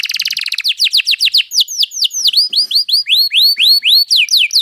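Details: A canary's rolling song used as a masteran tutor: a quick chattering trill gives way to a long steady series of curved whistled notes, each rising then falling, spaced roughly a fifth of a second apart.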